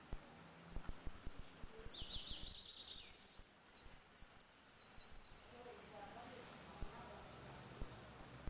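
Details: Saffron finch (canário da terra) giving its ringing 'retinido' song during a dispute, meant for tutoring young birds: dense runs of quick sweeping chirps, then sparse high ticks, with a few clicks early on.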